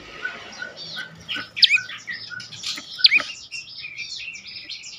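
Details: Prenjak lumut prinia song, used as a lure to make other birds sing: a busy run of short chirps and high sharp notes, with a steady lower note repeated beneath, recorded close.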